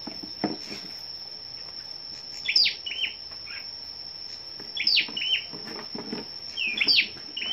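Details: Scarlet-backed flowerpeckers in a morning gathering of competing singers, recorded on 10 May: a few bursts of sharp, high chirps with quick downward sweeps near 2.5 and 5 seconds, and again near 7 seconds, over a steady thin high whine.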